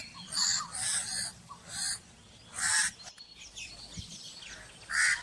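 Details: Raspy, hoarse caws from a crow, delivered in irregular bursts: a pair, then single calls, with quiet stretches and faint background chirping between them.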